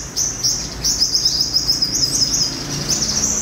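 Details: A wild-caught olive-backed sunbird being tamed during the morning gives a steady, high, thin warbling twitter that runs unbroken for several seconds, with faint low background noise.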